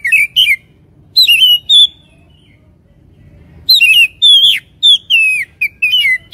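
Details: Oriental magpie-robin giving a provoking lure song: short clusters of bright, warbled whistles, a quiet gap of nearly two seconds, then a fuller run of sliding, rising and falling whistled notes.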